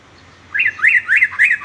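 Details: Sooty-headed bulbul singing, used to tutor young males; four quick liquid whistled notes that each rise and fall, delivered in under a second.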